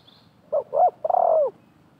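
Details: Spotted dove call in a wild-versus-decoy contest at a bird trap: two brief coos and a sustained, slightly vibrating note falling at the end, heard once over a quiet background.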